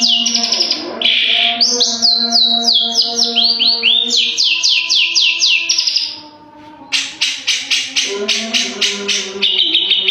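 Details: Long-tailed shrike in energetic full song: runs of sharp descending whistles, quick buzzy bursts and longer slurred notes, a brief pause near the middle, then dense rapid chattering phrases, with a constant low droning tone underneath.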